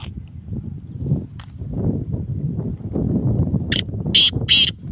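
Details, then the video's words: Kala teetar, the black francolin, calling three abrupt rasping notes near the end after a stretch of low rumbling and rustling background noise. "kala teetar awaz"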